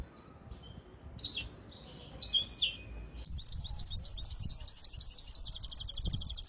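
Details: Training song of a misto hybrid canary for teaching young birds: a quiet start, scattered sharp chirps, then a steady fast trill of evenly repeated high notes running to the end.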